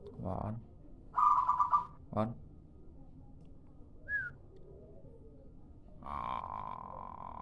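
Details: Local zebra dove lure call: a short rapid stutter of coos near the start, then a long steady whistled tone near the end, with knocking sounds between.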